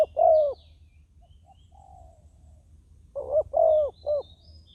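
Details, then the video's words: Decoy spotted dove calling to lure wild doves on the ground: the tail of a long croo, then a pause and a three-note hollow phrase, the middle note longest. "ต่อนกเขาใหญ่ต่อดิน ติดแล้วยังสู้"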